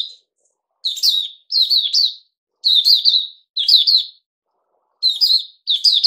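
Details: A bulbul kept as a songbird, named Puteh Raja, sings after a fruit juice and mealworm combination. Bright, slurred double and triple notes come in groups, roughly every second, in a silent room.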